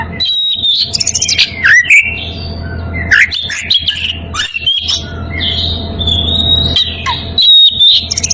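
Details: Oriental magpie-robin in breeding condition calls to a rival, delivering a varied run of loud whistled notes, quick downward slurs and shrill high squeaks in bursts separated by brief gaps; a steady low hum runs underneath.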